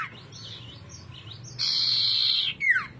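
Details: Common iora, known locally as cipoh, sirtu or sirdung, a shrubland bird singing actively: soft wavering whistles, then a sustained buzzy trilled note lasting about a second, ending in a sharp descending slurred whistle.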